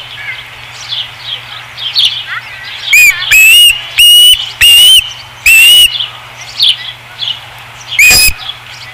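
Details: Osprey at its nest at Dunrovin Ranch, 5 August 2016: soft high chirps build into four loud whistled notes, slightly rising, spaced under a second apart, then one final whistle after a pause.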